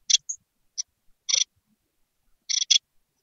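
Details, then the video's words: Hungry great tit chicks in a nest box calling to be fed: dry, hissy rasps, single and doubled, spaced irregularly over a few seconds in otherwise silent surroundings. "Jungvögel im Kohlmeisennest | Hungrige Mäuler wollen gefüttert werden!"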